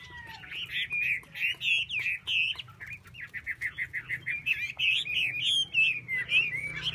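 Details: Loud, fast hwamei song made of rippling whistled syllables, bursts of quick repeated notes alternating with sweeping slurs, hardly pausing for seven seconds; a faint low hum underneath.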